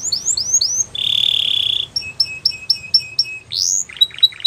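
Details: Belgian canary singing a varied song: a few quick downslurred whistles, a long steady buzzy trill, a run of evenly spaced clipped chirps, one rising sweep, then short scratchy notes.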